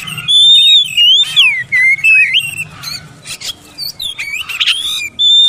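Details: Oriental magpie-robin singing, played to coax quiet birds into responding with open song: varied whistles, swooping up and down, mixed with sharp chirps and rattling bursts, ending on a steady high whistle.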